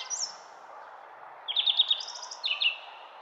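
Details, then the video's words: Songbird in a garden giving a brief, bright trilled phrase: a high note, then rapid buzzy repeated elements stepping between pitches, against a soft constant background rumble. "GARDEN BIRD SONG"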